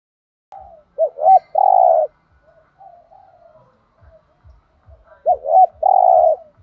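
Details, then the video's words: Spotted dove singing the 'thổ đồng' style 'thúc gù' coo. Paired short curved notes lead into a drawn-out, even coo. The phrase is given twice, with faint quiet cooing and low knocks between the phrases. "cu gay tho đồng thúc gù/ chim cu gáy giọng thổ đồng chuẩn nhất"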